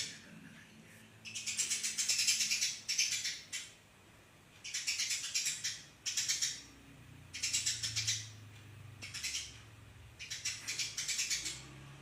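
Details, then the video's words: Sparrow singing fast and tightly packed, for cage-bird training: five bursts of harsh, rapid, high chirping, each about one to two seconds long, separated by short pauses. "burung gereja gacor, masteran gereja speed rapet"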